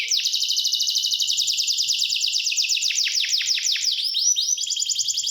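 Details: Rapid, evenly pulsed canary trill that slows into distinct falling notes, then shifts to quick rising slurs and a high chattering run.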